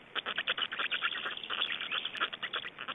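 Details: Estonian black storks at feeding time and changeover, recorded 25 May 2012, 17:03: dense, fast series of rasping pulses, about eight per second, loud and unbroken throughout.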